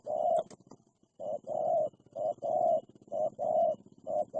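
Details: Wild spotted dove calling aggressively at a decoy bird used for trapping: a series of low, hollow coos in short bursts, some clipped and some drawn out, with a faint high hiss in the background.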